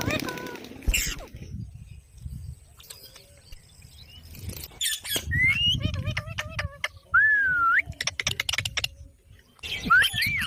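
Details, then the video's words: Parrot said to be talking gives a mix of sounds: gliding whistled notes that rise and dip, rapid clicking bursts and harsher squawks, separated by short quiet gaps, with low rumbling handling noise underneath. "Parrot Talking Video HD Parrot Voice| Mian Mitthu Ki Awaaz"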